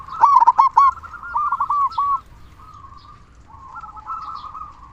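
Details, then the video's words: Local zebra dove singing strongly, used to prompt quiet doves to start calling. An opening two-second burst of loud, quick rolling coos fades into faint, continuous cooing. "Perkutut Lokal Gacor Suara Besar Pancingan Burung Perkutut Agar Cepat Bunyi"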